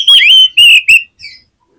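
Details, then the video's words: Oriental magpie-robin used to trigger song in others: three short, loud, level whistles followed by one softer note, all high and clear. "SUARA KACER GACOR INI SANGAT AMPUH BIKIN KACER LAIN CEPAT NGEPLAY"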